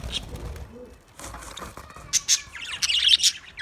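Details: Budgies chirping: quiet start, then bursts of high scratchy chirps and a fast warbling chatter toward the end, with some wing flutter sounds.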